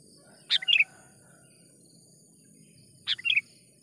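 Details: Sooty-headed bulbul calling as a trapping lure: two short chirpy phrases, a sharp note then fluttering twittered notes, spaced over two seconds apart, over a low rumbling background and steady high hum.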